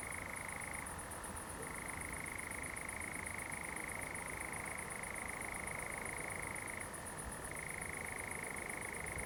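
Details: Common nightjar in a Bizkaian pine plantation at Zamudio on a July 2020 night with fireflies, giving a continuous dry trill. It slips briefly lower around one and seven seconds, while high-pitched insects chirp in a fast regular pulse.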